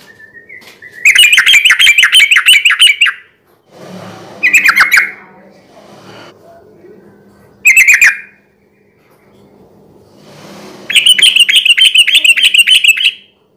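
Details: Sooty-headed bulbul singing loudly, intended as a night-time lure for other bulbuls: four bursts of rapid, harsh chattering notes with a bright ringing edge, the longer bursts lasting about two seconds, with soft rustling and low hum between them.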